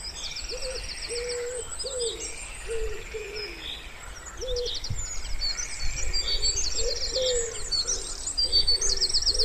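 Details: Wood pigeon cooing by a still pond in spring, low hollow coos repeated in a steady run of short flat notes, while many small birds twitter and trill high above throughout.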